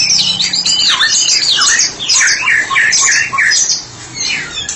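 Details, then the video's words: White-rumped shama, a tutor bird used for training other birds, in open 'ngeplong' singing: a rapid, nearly unbroken stream of looping whistles and chattering notes that bend up and down, varied from phrase to phrase. "Murai batu spesialis terapi sedang ngeplong"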